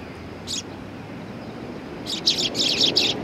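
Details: Sparrows greeting a visitor at a Tenmangu shrine, 18 September 2020; one lone chirp, then a rapid run of overlapping high chirps near the end, over distant rumble.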